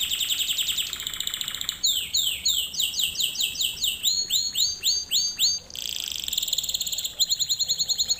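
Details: Singing canary, a recording used to teach canaries: loud, high rolling trills with quick swooping downslurred notes repeated several times a second, switching between trill types without pause.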